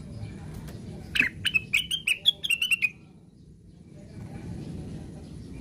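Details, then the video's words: Plaintive cuckoo delivering its 'ngigau' call: a sharp opening note followed by about nine quick descending whistles, with a dull rumbling background before and after. "KICAUANYA KLASIK....BURUNGNYA NYENTRIK...CUCAKWILIS SEDANG NGIGAU"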